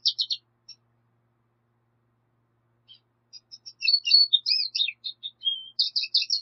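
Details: A few clipped chirps from a black siskin, a pause, then a livelier stretch of varied high twittering notes and a short level buzz, quiet background.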